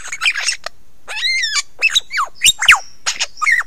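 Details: Close-up lyrebird performance at Ben Ricketts, 16 November 2022, 9 AM: a rich, layered whistle followed by quick downward-swooping notes and sharp high chips, delivered in short separate bursts.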